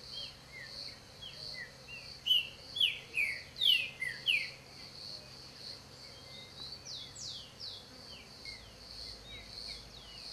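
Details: Green-winged saltator (Saltator similis) gives a quick burst of about six loud, rich, slurred notes, then softer notes, over a steady high insect drone.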